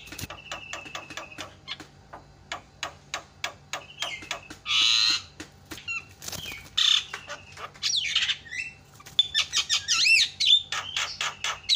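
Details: Javan myna call meant to set other mynas calling: a run of dry clicking ticks, then a loud harsh squawk, scratchy noisy phrases and a final flurry of looping whistled notes.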